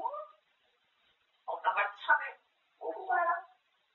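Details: A talkative grey parrot mimics Korean speech, chattering about food: one brief word, a pause, then two longer rambling bursts of human-like phrases in a quiet room.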